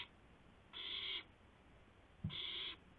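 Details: Owl at a nest on a live camera, 2:51 AM on 2 April 2016, as a gopher is brought to a second owl; two drawn-out raspy hissing screeches spaced about a second and a half apart, with a soft thump.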